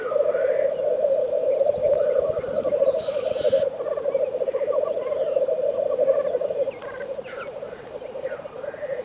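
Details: Black grouse in a frosty landscape, giving a steady, pulsing bubbling chorus that runs unbroken through the recording, with a brief hissing burst near the start and faint higher chirps scattered above.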